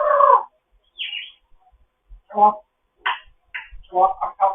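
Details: Morning chat from a fostered African grey parrot: a rough nasal squawk, a high thin squeak, then a burst of clipped grunting and chattering syllables toward the end.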